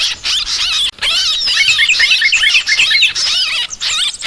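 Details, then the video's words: Recorded as a bird lure, yellow-vented bulbuls chatter in rapid, overlapping, high bubbly notes and slurred whistles. A short silence falls near the start, then the chatter continues densely. "Suara Trucukan Pikat Burung ribut"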